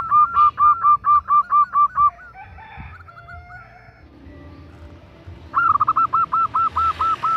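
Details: Calling female zebra dove seeking a male: a fast series of eight arched coos, a pause with softer wavering notes and noise, then another rapid burst of about eight coos.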